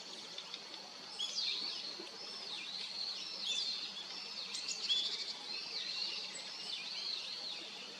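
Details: Female Daurian redstart calling: thin, high swooping notes that dip and then rise again, repeated roughly once a second, over a steady background hiss.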